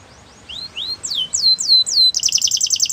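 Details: Belgian canary singing, used to get other canaries to sing: rising then falling whistled sweeps repeated about every quarter second, ending in a fast buzzy trill.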